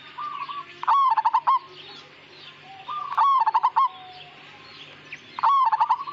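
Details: Zebra dove of the native Majapahit perkutut strain, singing vigorously: three cooing phrases, each a brief lead-in note then a fast run of about six hollow, pulsed coos at one low pitch, repeating about every two seconds over faint hiss.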